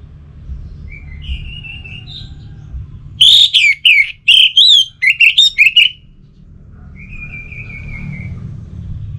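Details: Orange-headed thrush song played as a lure to prompt a bird kept at home to sing: a loud burst of rapid, varied whistled notes, framed by fainter, drawn-out high whistles and low background rumble.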